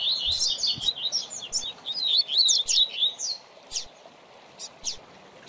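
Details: Tutor singing from a coleiro (double-collared seedeater) for young birds learning song: a lively three-second stream of high, buzzy-edged chirps and slurred whistles, followed by a few isolated clicks.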